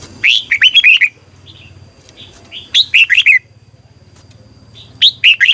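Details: Red-whiskered bulbul singing in the morning in the long twisted double-voice style, used as a decoy to train birds in competitive singing: three bursts of rapid, slurred whistled notes about two seconds apart over a low steady hum.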